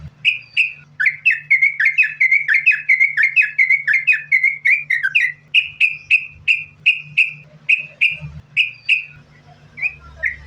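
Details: Yellow-vented bulbul in continuous 'sambung ropel' song, used as a lure to make bulbuls sing: quick strings of clear whistled notes, then slower spaced single whistles about twice a second, with a constant low hum behind.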